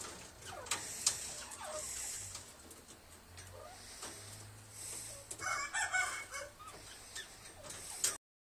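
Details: Captive black francolins (kala teeter), big and small breeds kept together; scattered soft chirps, then a burst of harsh, fowl-like calls with layered tones in the middle of the recording, ending abruptly.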